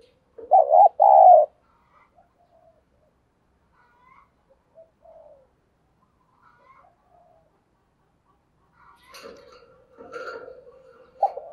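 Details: Decoy spotted dove calling to draw in wild doves. Two loud, low cooing notes open the recording, followed by a long near-silent stretch with faint rustles, then scattered noise and the start of another coo at the end.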